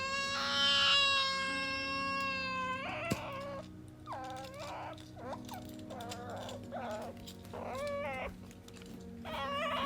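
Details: Caged-home Ducorps's cockatoo, wanting play and affection from its owner, starts with a long, high, nasal wail, then gives a series of short, upward-bending squawks and whines at irregular intervals.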